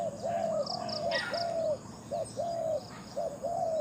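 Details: Captive decoy Spotted dove cooing steadily, a string of paired short notes and longer even phrases nearly every second, accompanied by a background bird's rapid high chirp series.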